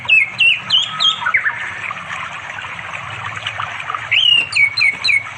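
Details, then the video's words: Orange-headed thrush calling a female to mate, recorded by Android phone beside a forest river in East Java one afternoon; short looping whistled phrases repeated quickly at start and end, separated by a pause with background insect hum. "The sound of the red anis bird chirping melodiously"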